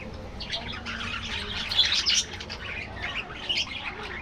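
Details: Colony of budgerigars in an aviary, heard as a soft bed of high twittering that swells into a louder burst of chattering midway, then quietens.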